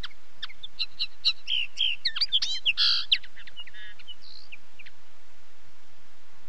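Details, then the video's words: Common linnet in full song, a fast jumble of chirps, twangy notes and buzzy trills for about three seconds, trailing off into a few scattered higher tweets against faint hiss. "Как поет коноплянка? 🐦 Звук поющей коноплянки и какие звуки издает коноплянка"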